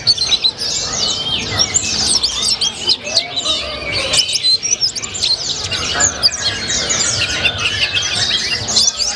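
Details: White-eye singing in a colibri-like style, the busy, nonstop 'gacor ngalas' type: dense, rapid, high chirps and thin downslurred whistles overlapping continuously with no pauses, a very busy chattering stream.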